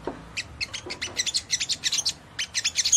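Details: Ruby-cheeked sunbird singing to trigger vigorous replies from others: sharp high chips and tiny twitters repeated several times a second with brief gaps, steady and bright.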